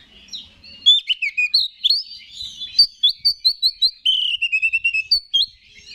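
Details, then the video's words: Kacer (Oriental magpie-robin) song for provoking other males, a lively stream of bright upslurred chirps, slurred whistles and a long descending whistled phrase, delivered in rapid bursts. "Pancingan Menaikan Emosi K4CER"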